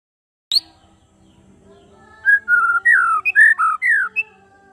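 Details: White-rumped shama singing in the afternoon: after a sharp high click, a run of clear whistled notes, some sliding down and some looping, delivered in quick succession over a steady low rhythmic hum.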